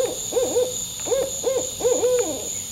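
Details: An owl calls from just overhead, close above the listener at a turtle nesting site while a turtle buries her eggs: quick runs of arched, mid-pitched hoots, two or three at a time, over a steady high insect-like whine.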